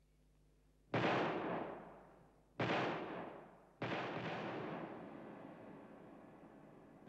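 Three sudden loud bangs, like gunshots or fireworks, each fading slowly over a second or more, with no animal voice heard.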